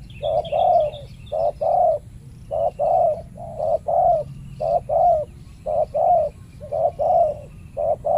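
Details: Spotted dove contest in a banana plantation, an aggressive resident male against a trained decoy dove set out for trapping; rapid run of loud paired coos, short note then longer one, repeated steadily about once a second.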